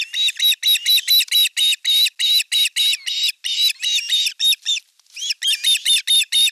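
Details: Ospreys on a Satakunta nest, western Finland, 5 August 2024, elder chick attacking younger chick during fish delivery; continuous frantic shrill yelping, about four notes per second, with one short gap near the end.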